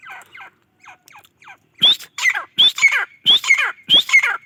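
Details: Grey francolin calling: a few faint harsh notes, then loud squawking calls from about two seconds on, each with a sharp rising whistle followed by a falling rasp, repeated roughly every two-thirds of a second.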